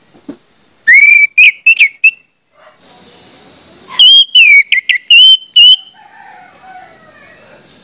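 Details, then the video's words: Orange-headed thrush song used to coax other thrushes into singing: two bursts of loud whistles and short choppy notes, separated and followed by a continuous high buzzing drone like an insect. "pancingan anis merah bikin anis merah lain cepat ngeplong"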